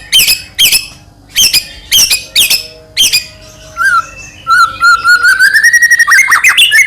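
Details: Song of a white-rumped shama played to goad a rival shama into singing: loud sharp clipped notes, then a long clear whistle sliding upward, followed by a fast rattle of repeated high notes.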